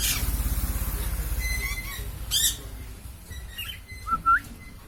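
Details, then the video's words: Hungry lory calling: a loud low rumble at first, then short thin tonal notes and two harsh squawks about two seconds apart, one rising sharply near the end. "Kicauan burung nuri yg lapar"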